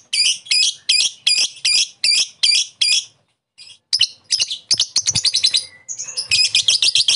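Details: Lovebird calling a rival, played to prompt another lovebird's chattering ngekek: evenly spaced strident squeaks about two per second, a short gap, then faster, tumbling high chatter.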